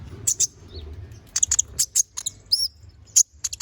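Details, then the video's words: Konin bird in lively training song for magpie-robins: loud, very high chirps in quick clusters, with a short rising-and-falling whistle near two-and-a-half seconds and brief silences between clusters. "MASTERAN BURUNG KONIN GACOR NGOBRA FULL ISIAN!"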